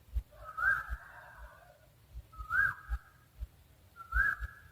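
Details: Owl calling with three whistled notes, each rising sharply and then held, the first longest and fullest, spaced about 1.8 seconds apart, with faint low thuds in the background.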